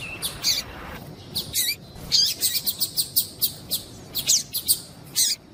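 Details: Female Papa-capim (Double-collared Seedeater) calling to excite a male: rapid runs of short high chirps, some buzzy, coming in steady quick series with a few short gaps.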